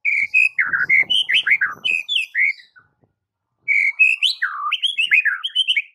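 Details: White-rumped shama master song for silent birds: two long bursts of rich, downward-sweeping whistles and chirps separated by about a second of silence.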